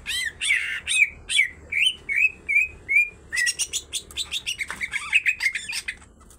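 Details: Greater green leafbird song, a female and a male both singing vigorously: rapid series of downslurred whistled notes, then a dense burst of sharp high chips and buzzy trills in quick succession.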